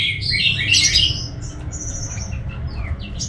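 Orange-headed thrush giving a rich, fast jumble of high whistled and scratchy notes, loudest early then thinning to brief phrases, over a low indoor hum.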